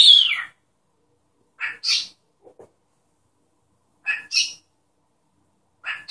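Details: Captive cockatiel mimicking a human sneeze: it opens with a short falling whistle, then gives several paired, hissy, sneeze-like bursts with a soft click between them, in an otherwise quiet room.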